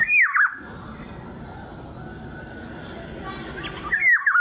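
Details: Black-naped oriole in light rain, giving two short rich whistled phrases, each falling in a slurred, fluting descent. One opens the recording and one closes it, with steady drizzle hiss between them.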